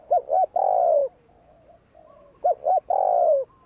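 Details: Spotted dove uttering the provoking 'gù kích' coo: two short notes then a long, gradually falling, slightly rough coo, heard twice with a soft low coo in the pause.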